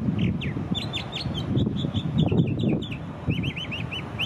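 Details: A Northern Mockingbird, a mimic, sings in an eastern North American backyard: quick, chirpy phrases, each repeated several times before switching to a new one, over a steady low rumble.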